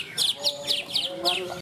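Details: Greater green leafbird in the cucak ijo class of a bird singing contest at Malinau, North Kalimantan; a run of five quick bright falling whistled notes, evenly spaced, with men talking faintly in the background.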